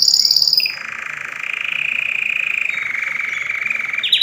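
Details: Canary song for training birds: a brief high trill, then a long, low, buzzy rolling tour held for over three seconds, ending with a quick rising note.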